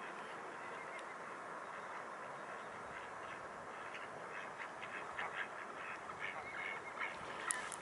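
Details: Mute swans at the Blaues Wunder, recorded on 11 February 2018 at 21:09: after a stretch of steady hiss, soft nasal honking notes repeat irregularly through the last three seconds, partly masked by broadband background noise.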